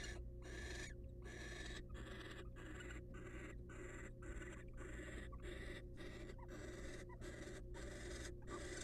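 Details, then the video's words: Excited wild female barn owl at her nest box with the male present: repeated rasping hisses in a regular series, with a faint thin high tone and constant low hum behind. "The Female Barn Owl Is Super Excited By The Males Present!"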